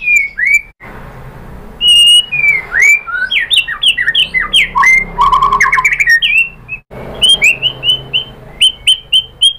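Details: White-rumped shama song used as a lure to provoke another bird into singing: varied loud whistled phrases, rapid falling and rising notes, a dense burst of jumbled trills midway, then repeated clear whistles.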